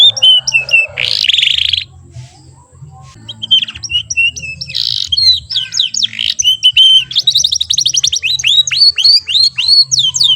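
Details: Young AF canary just out of its babbling phase, singing short rolls: a harsh buzzy squawk, quiet gap, more rasping notes, then lively rapid trills and repeated sweeping chirps about four per second, over a low hum.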